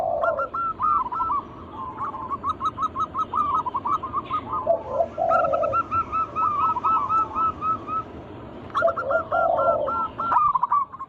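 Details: Local zebra doves singing freely as a lure to prompt other doves to sing. Rolling low coos lead into rapid, regularly repeated bright cooing notes, repeating in several phrases.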